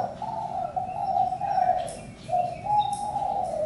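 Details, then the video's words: Spotted dove cooing in low, hollow notes. Swelling tones run almost without a break, with a short dip near the middle. Faint thin whistles from other birds sound higher up. "Chim cu gáy-Đam mê tiếng chim cu"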